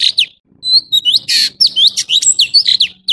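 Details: High, crisp chirping from an orange-bellied leafbird, quick whistled slurs and a harsh buzzy burst early on, then a steady run of sharp repeated notes.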